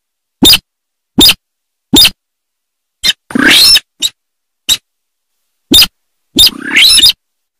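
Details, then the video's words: Rice-field sintar giving a series of evenly spaced dry clicks, broken by two longer harsh, rasping calls. "Suara Asli Burung Sintar Sawah"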